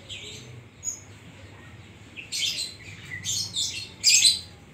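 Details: Oriental magpie-robin (kacer) in full song with 'isian koslet' filler: bursts of loud, harsh, high chattering phrases around two and four seconds after quieter scratchy notes, with a low hum underneath.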